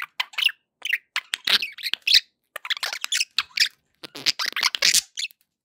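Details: Happy pet budgies chattering: many short clicky chirps and squeaks in quick irregular bursts, with small gaps throughout.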